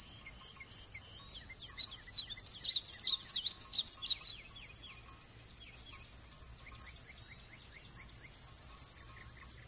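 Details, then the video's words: A Painted Bunting in Royse City, Texas, on 8 June 2020 sings a quick, high, sweet warble of slurred notes, then a second, softer phrase, over a steady background hiss. "The Painted Bunting - (In Song!)"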